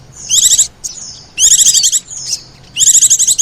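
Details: Bird-attracting lure of Oriental white-eye and sogon: three bursts of fast, high, buzzy trills separated by soft thin whistles, each burst under a second long.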